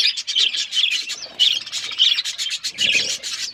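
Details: Colourful pet budgies chirping: a busy stream of quick scratchy warbles and short bright chirps, overlapping and continuous.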